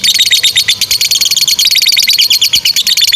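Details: Two fighter lovebirds in long chattering 'ngekek panjang' style, used as a master recording for young or silent lovebirds: a dense, unbroken stream of rapid high, scratchy chirps with no pauses.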